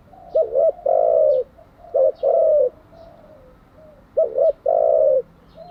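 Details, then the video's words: Spotted dove coos used to train decoy and wild-caught doves: two rounds of a quick doubled coo followed by a longer steady coo, spaced about two seconds apart, with faint high chirps of other birds. "Tiếng chim cu gáy mới nhất, dùng luyện chim gáy bổi và mồi hàng ngày"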